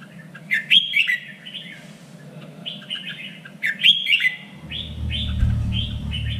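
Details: Red-whiskered bulbul song for contest training in the standard three-region voice: repeated lively phrases of chirpy, slurred whistles every couple of seconds, with a low rumbling noise joining in the second half.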